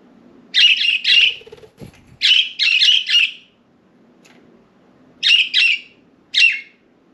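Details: Pet budgerigars flying free outside their cage, perching on window blinds indoors; short harsh chirps in quick pairs and triplets, spaced by pauses, with a faint low hum in the room.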